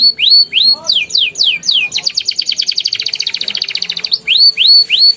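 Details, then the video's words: Lure song of a canary in ngeriwik and ngeroll style for young canaries: rising whistles and falling sweeps, a dense rapid rolling trill in the middle, then rising whistles again. "PANCINGAN KENARI PAUD NGERIWIK NGEROLL GACOR EMOSI EFEKTIF UNTUK TERAPI KENARI MACET BUNYI"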